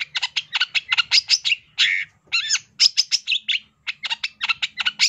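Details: Long-tailed shrike (cendet) in full master song: a rapid, dense stream of sharp chips and scratchy notes with a few drawn-out harsh phrases, almost continuous chattering over a faint low hum.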